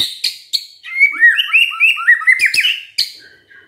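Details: White-rumped shama singing hard and fast: sharp high ticks open a quick series of bubbling, slurred whistles about four per second, with more clicks cutting through near the end.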